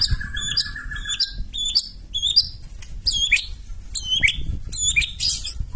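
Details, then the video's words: White-rumped shama with provoking song: a short trill, then sharp high hooked whistles repeated roughly every half second, heard over steady low background noise. "KICAUAN MURAI BATU NEMBAK KASAR AUTO NGAMUK SEKALI DENGAR LANGSUNG NYAUT"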